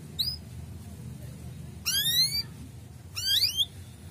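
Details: Male canary chirps, played to stimulate breeding in young canaries: three separated rising chirps spaced over four seconds against a low steady hum.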